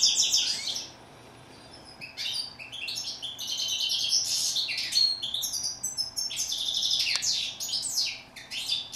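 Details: European goldfinch song: after a brief pause, a long lively stream of tinkling, liquid twitters and steeply falling high notes, varied and rapid, with one short steady whistle among them.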